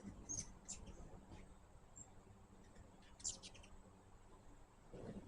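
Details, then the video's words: Feeding hummingbirds give brief, very high squeaky chips in two small clusters, near the start and past the middle, with quieter gaps and a steady low background. "My first hummingbird video with natural sound."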